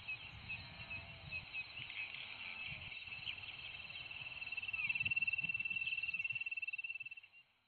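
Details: Darwin's nothura giving a fast, even series of thin high notes, several per second, swelling louder for about three seconds before breaking off; fainter chirps from other birds and a low rumbling background come before it.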